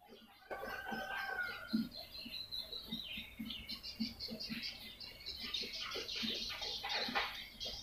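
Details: Lure recording for attracting swiftlets: after a brief silence, a sharp thin whistle, then thick, high, scratchy chattering builds over a pattering series of low clicks.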